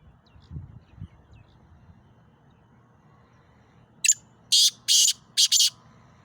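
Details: A calling male black francolin, known locally as kala teetar, gives a grating burst of four loud rasping notes after about four seconds of near silence. A few soft low thumps come early on.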